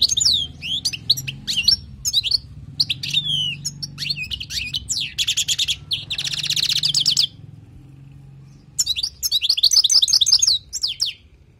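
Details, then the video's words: Wild goldfinch song for tutoring: sharp twittering notes, then a long rapid buzzy trill, a quiet gap, and a final run of bright chattering phrases over a low steady hum. "تغريد حسون خلوي للتعليم"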